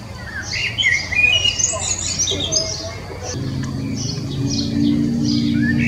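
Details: Common blackbird song: a burst of varied fluty and chattering phrases during the first three seconds, then softer high twitters repeated over a steady low engine-like drone.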